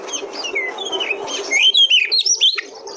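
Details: Oriental magpie-robin, a territorial songbird, in soft warbling that grows into loud, clear whistled phrases sliding up and down, several notes in quick succession near the end, over light background hiss.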